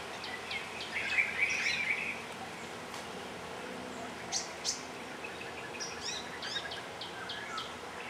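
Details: Asian glossy starling on Ko Lanta, Thailand: a dense burst of sharp, buzzy chattering notes during the first two seconds, then scattered short high chirps and clicks over a steady background hiss.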